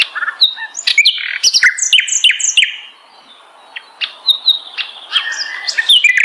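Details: Varied song of a sikatan londo flycatcher, made of sharp downslurred chirps and short whistled notes in quick groups, with a brief pause midway before more chirping.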